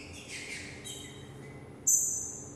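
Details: Green-winged saltator, known locally as trinca-ferro, a young bird from 2018 singing 'mexida' style: softer descending warbled notes fade out, then a sudden loud, high, piercing note breaks in at the end.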